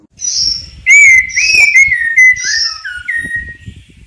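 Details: White-rumped shama singing a unique isian song, loud clear whistles sliding down and back up in varied short phrases, with thin high notes above them and faint low background rumble.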